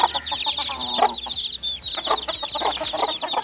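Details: Close, loud chorus of little chicks at play: shrill overlapping peeps mixed with lower, rounder chirps repeated rapidly, several each second.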